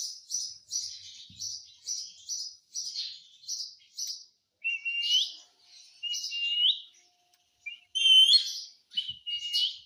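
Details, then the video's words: Indian ringneck parakeet kept as a talking pet; a quick series of high, scratchy chirps repeated about twice a second, then longer whistled notes that slide upward, ending in a brighter rising phrase. "mummy mummy bolta tota - talking parrot"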